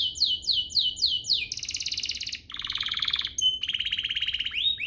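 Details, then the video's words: Domestic canary singing to spur other canaries into song: a run of repeated down-swept whistles, then buzzy rapid trills, a brief pure note, and another fast rattling trill ending in a rising slur. "Pancingan ini EFEKTIF BANGET, burung kenari lain langsung terpancing untuk GACOR"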